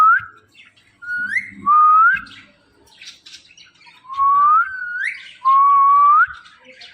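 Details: Pet Indian ringneck parakeet, presented as a talking parrot, giving a series of clear whistled notes that slide upward, several long rising and level tones in close succession, with faint soft knocks and room sounds between them.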